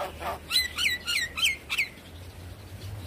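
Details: Javan myna song played as a lure to get a myna that has stopped singing to sing quickly and nod; five sharp downward-sliding squeaky notes in quick succession, then quiet with a faint low hum.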